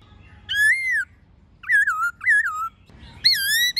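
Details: Many-voiced forest-style singing of white-cheeked laughingthrush with a female, played to make captive birds sing: an arched whistle, two wavering warbled phrases, and a final rising overtone-rich whistle.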